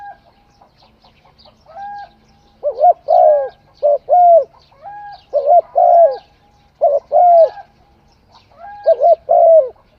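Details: Spotted dove singing: a low, mellow coo phrase of two quick notes and a longer drawn-out coo, repeated about five times over ten seconds. Faint thin whistles from other birds sound between phrases.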